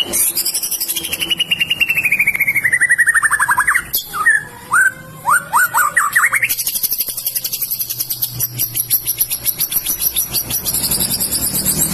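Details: A Medan-type white-rumped shama sings a rich, varied song: a long falling whistled slur, a few looping fluty notes, then fast high chattering phrases.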